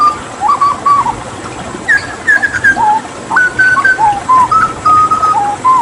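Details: Hooded butcherbird from Papua, singing actively in the 'tembakan' style during water therapy, meant as a tutor recording for other songbirds: clear fluted whistles of mid pitch, some rising or bending, in quick short notes about every half second, over faint background hiss.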